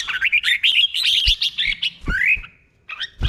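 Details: Caged red-whiskered bulbul from Thailand singing a slow, clear doubled 'beon'-style song used to teach other birds. Quick warbled, bubbling phrases with rising and falling whistles, a long downward slur near the end, brief pause, then more notes and low thumps.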